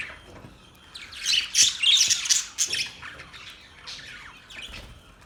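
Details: Budgies give a loud burst of rapid, squeaky, high chatter lasting about two seconds, then fall back to softer scattered chirps.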